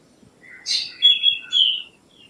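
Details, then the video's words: A single song phrase from a black drongo: a grating buzzy note leading into two bright whistles and a falling slurred whistle, high and clear over faint low background hum. "Black Drongo Song ! Black Drongo Call ! Black Drongo Sound ! Black Drongo Vocals ! Voice ! Singing"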